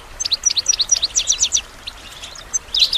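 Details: Goldfinch singing for songbird training: a rapid run of sharp chirps repeated about four per second, a brief lull, then a renewed liquid twitter.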